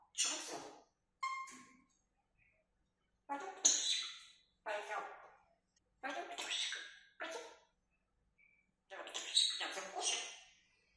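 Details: Female grey parrot left alone in her cage indoors, kept caged for safety while her owners are out; a series of harsh, speech-like bursts about a second long, separated by short pauses, with brief thin whistled notes between them.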